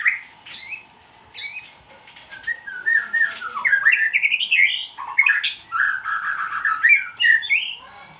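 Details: Loud, varied white-rumped shama song: sharp high notes, then an ascending ladder of clear whistled notes, followed by rolling warbled phrases and further rising whistles.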